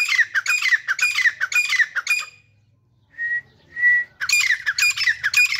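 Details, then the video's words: A pair of grey francolins, locally Dhakni teetar, gives a burst of rapid grating calls. Two clean level whistles follow after a short silence, then the harsh repeated phrases start again. "Daily Sweet Voice of Teetar Pair | Cute and Natural Voice of Dhakni Teetar"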